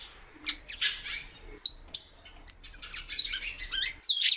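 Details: Female great-billed seed finch, captive, calling often. Sharp chirps and short high whistles come in irregular bursts, growing busier toward the end with several quick downslurred notes.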